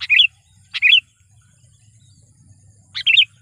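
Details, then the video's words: Lure kutilang, a sooty-headed bulbul trained to draw in wild birds, uttering a sharp chip then a rolling two- to three-note whistled phrase, repeated three times with uneven gaps. "suara burung KUTILANG GACOR garuda dengan suara panggilan kutilang pikat / pikat kutilang"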